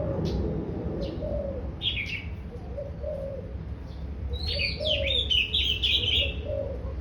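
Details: Daurian redstart singing: scattered thin high notes, then a fast, rich chattering run of twitters in the second half. Low, soft cooing phrases repeat in the background throughout.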